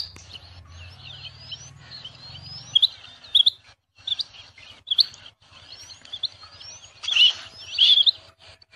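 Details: Rain quail singing bright paired notes at irregular short intervals, mixed with thin rising whistles from another bird and a louder rough burst near the end over a faint low hum.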